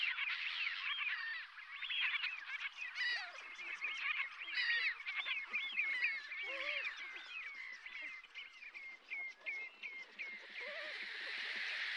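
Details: Brent geese at Strangford Lough, County Down, Northern Ireland, give rolling nasal calls that thin out over time. A sequence of short, clipped notes repeats roughly once per second, and a few deeper honks stand out from the flock.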